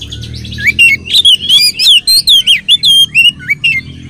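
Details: Oriental magpie-robin singing as a lure recording for other magpie-robins; rapid stream of loud, sweet whistled notes, rising and falling slurs and sharp chips delivered in quick succession without pause.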